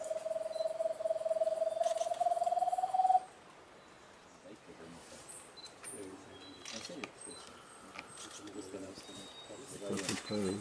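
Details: A solitary giant antpitta gives a three-second run of rapid, hollow hoots fused into a steady trill that rises slightly; quiet human voices follow.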